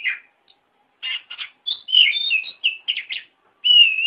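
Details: Oriental magpie-robin song used as training material for caged birds: short buzzy notes, then rich whistled phrases rising and falling between mid and high pitch, ending in a long steady whistle; clean, quiet background.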